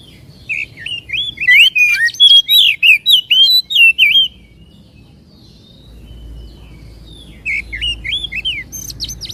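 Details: Oriental magpie-robin song used to excite a caged bird into singing and opening its tail: a burst of loud, varied high whistles at about two notes per second for three seconds, a pause with faint low hum, then a shorter burst.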